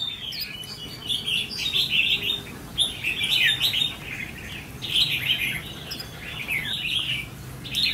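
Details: A 'mí lửa' red-whiskered bulbul, trainee decoy under test for its attitude, delivers repeated bouncy chirping phrases about every two seconds, each a cluster of quick slurred notes, over low ambient noise.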